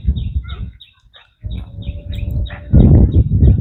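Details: Domestic goslings walking with their flock near the water: high, short, downward peeps repeated rapidly and unevenly, over low rumbling noise that swells louder near the end.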